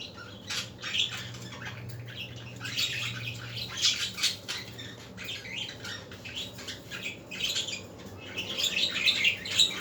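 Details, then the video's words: Budgerigars heard in the afternoon over a steady low hum, their grating chatter and high chirps coming in loose, overlapping bursts. "احلي عصريه مع اصوات طيور الحب البادجي"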